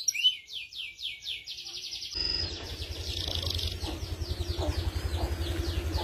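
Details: F2 YS canary delivering long ngerek trills: rapid sweeping high notes for two seconds, then continuing faintly under loud low rumbling noise.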